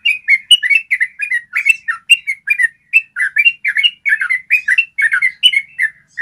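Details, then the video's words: Clear ropel of a yellow-vented bulbul for training birds to sing. Fast, steady bursts of warbling, gurgling notes, each a short knot of two or three syllables in close succession. "Masteran ropel panjang suara jernih bikin trucukanmu jadi rajin ropel"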